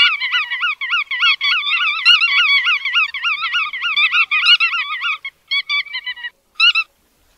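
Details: A dense stream of nasal, wobbling bar-tailed godwit calls fades into a few separate short yelps and ends in silence.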